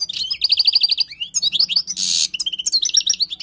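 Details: Wild European goldfinch song used for tutoring: rapid runs of bright, liquid twittering notes, with a repeated fast trill of identical chirps, a short harsh buzzy burst near the middle and more trills after it. A faint low hum sits underneath.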